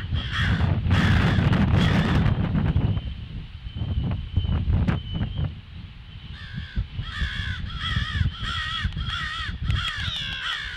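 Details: On 18 February at 08:50, crows give alarm calls: a burst of harsh caws, a quieter stretch dominated by low rumble, then a fresh rapid series of nasal caws.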